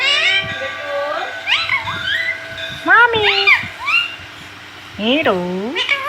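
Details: Pet parrot talking indoors, imitating mummy: a dense run of voice-like harmonic syllables sweeping up and down, a short pause, then a strong falling-rising phrase.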